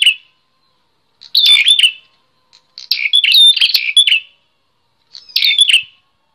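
Bar-winged prinia singing three bursts of quick, sharp, high chirping notes, each phrase about a second long, separated by short pauses; no other sounds.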